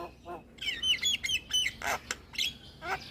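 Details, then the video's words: Javan myna singing, a recording meant to lure and stimulate moulting mynas; a run of bright whistled slurs followed by harsh scratchy bursts and clicks, uneven rhythm, quiet background. "Kicauan Jalak Kebo Full Manggut2 Buat Pancingan Dan Terapi Jalak Mabung"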